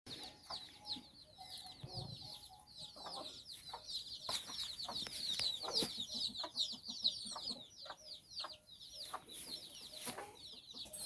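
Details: Domestic hen with her nine chicks out walking and exploring in Bizkaia, Basque Country. Dense, overlapping high, downward-slurred peeps from the chicks run continuously, with occasional soft low clucks and short scratchy rustles underneath.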